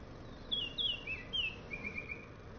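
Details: Early morning at a bird bath, a gray catbird gives a quick run of five or six squeaky, slurred notes, mostly falling in pitch, over a soft steady outdoor hiss; a Baltimore Oriole may be audible in the background.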